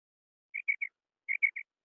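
A female quail gives two quick bursts of three short, clipped whistled notes, the groups about a second apart, against a silent background.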